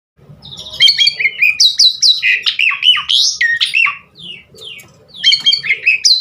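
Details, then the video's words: Javan pied starling song used as a lure to get other starlings singing: loud varied whistles and harsh notes sliding up and down, delivered in rapid bursts with a short pause near the middle, faint low hum beneath. "Masteran Jalak Suren GACOR Bongkar Isian Buat Pancingan Burung Jalak Agar Cepat Gacor full Isian"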